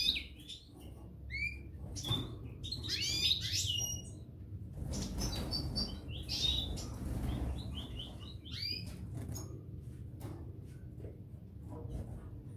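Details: Two parva goldfinches singing: scattered liquid chirps and tinkling twitters, busiest early on and then sparser, over a steady low hum.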